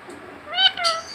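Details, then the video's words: A talking rose-ringed parakeet imitates a cat with a single nasal, rising-then-falling mew lasting about half a second, over a faint background hiss. "কথা বলা টিয়া পাখি।।বিড়ালের মত কথা বলে মিউ মিউ করে শিষ দেয়।"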